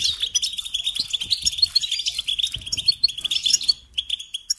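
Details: Sustained, bubbling twitter of a European goldfinch for training songbirds, rich in fast trills and bright chirps, easing into sparse single notes at the end.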